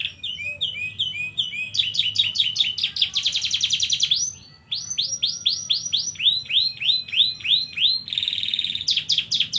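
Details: Canary delivering a long rolling song, phrases of fast repeated high notes changing pace, a sustained buzzy roll, then sweeping arched whistles repeated about four times a second and another rapid trill, with no pause longer than half a second.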